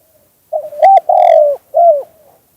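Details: Spotted dove in the two-kuk-hoi song style. A short soft note runs into a clipped coo, then a long loud descending coo and a final curved coo, with a faint murmur trailing off.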